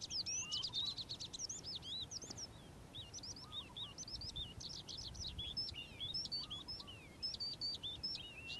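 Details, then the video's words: Calandra lark singing in the morning: a rapid, continuous jumble of high twittering and chirping notes with sharp rising and falling whistles, plus faint lower churring phrases at intervals against soft background noise. "Calandra Lark Bird Singing In The Morning"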